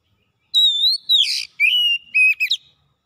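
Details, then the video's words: Oriental magpie-robin in full gacor song: a long wavering whistle, a harsh scratchy burst, then a smooth level whistle followed by quick chipping notes and a slurred ending, clean and close-up. "KACER MALAS BUNYI NYAUT GACOR BONGKAR ISIAN"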